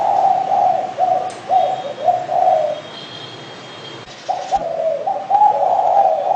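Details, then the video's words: Spotted dove repeating gentle low coos in a steady series, broken by a quiet gap and a short clatter, then resuming with further mellow notes, faint high bird chirps above. "BURUNG DERKUKU"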